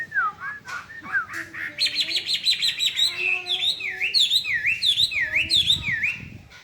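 Hwamei singing a loud, varied song of slurred whistles, rapid trills and repeated down-up swooping notes, delivered almost without pause.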